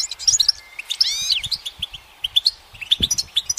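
Goldfinch song: a quick, tinkling twitter of high chirps with a brief buzzy, wavering phrase in the middle, delivered in rapid bursts with faint low thumps behind.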